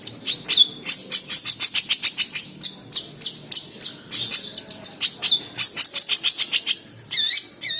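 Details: A caged, aggressive long-tailed shrike, being teased by its keeper, sings a fast, scratchy run of high chirps, slurred whistles and buzzy notes, about two per second, with brief pauses between bursts.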